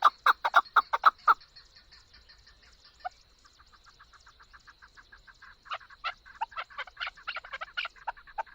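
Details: Chukar partridge call, recorded for hunting: a loud burst of rapid clucking chuk notes, then a soft run of quick ticking notes, then a ragged, uneven string of louder chuks.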